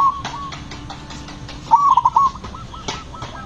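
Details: One loud phrase of quick, pulsing coos from a zebra dove singing in the 'ngepat' rhythm to provoke other doves. Fainter trailing coos and distant doves are audible around it.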